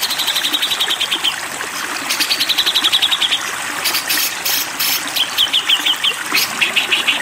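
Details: Grey-cheeked bulbul singing in the 'konslet' style, used as a training tutor. Bright buzzy trills of rapid repeated notes around high pitch come in bursts separated by pauses, with short sharp chips, over constant trickling water.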